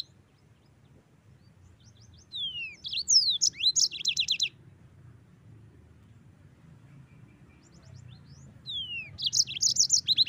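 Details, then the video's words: Quiet stretches framing two yellow-fronted canary phrases, each built from rising and falling whistles followed by rapid, high, stuttered chirps. "Masteran Mozambik Gacor"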